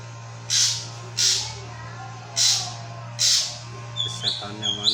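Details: Drongo recording used to draw an answer from other drongos: four harsh, hissing high bursts spaced about a second apart, then a run of short sharp whistled notes. A steady low electrical hum underneath.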